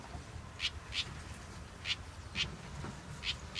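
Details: House wren chick, a large youngster with a short tail, born in a backyard; short raspy calls repeated about every half second, six in all, faint over a low background rumble.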